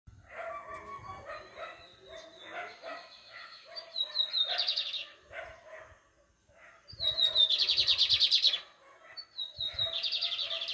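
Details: Lined seedeater singing in the pardinho style: high whistled notes that slide into loud buzzy trills, in three bursts across the recording, over a steady background of lower chirping and faint clattering.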